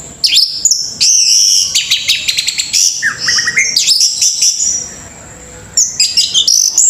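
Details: Orange-headed thrush, a kept songbird, delivering a loud, varied song of high whistled notes, sharp chirps and rapid trills, with quick downward-sweeping phrases and a brief pause before the singing resumes.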